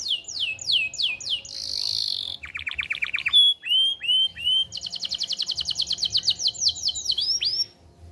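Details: Energetic canary song, played to tutor young birds and bring females into breeding: slurred whistles, a buzzy note, a lower rattling trill, bright chirps, then a long fast high trill of sweeping repeated notes before trailing off.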